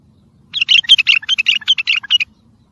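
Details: Tayyariyat and sihan style bulbul song, used for tutoring and encouraging birds: a quick run of about a dozen clear, warbling notes lasting under two seconds, each note dipping and rising, over a quiet low background.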